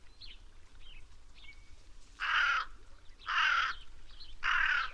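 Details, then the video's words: Three harsh, rasping caws from a black crow, spaced roughly a second apart, after faint high bird chirps over a low rumble. "The sound of the Black Crow"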